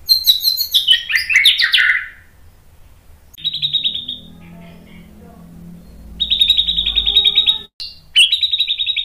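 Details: A white-rumped shama sings provocatively to trigger rival males: an opening tumble of loud cascading notes, then sustained high trills. A lower murmuring sound occupies a quieter middle stretch.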